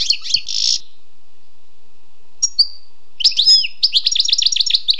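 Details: European goldfinch, wild, singing a brief buzzy phrase, a couple of thin isolated notes, then a quick burst of liquid twittering that runs into rhythmic, repeated chirps.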